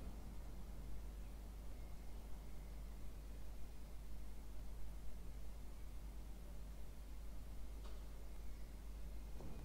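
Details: Steady hiss of static fills the recording, with a faint constant electrical tone and a couple of soft clicks, but no animal voice.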